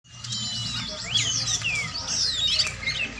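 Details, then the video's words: Oriental magpie-robin (kacer) during a song training session: a rich, varied run of clear whistled notes with sweeping slides and rising and falling phrases, sung high and continuously, with a faint low hum underneath. "latihan burung kacer"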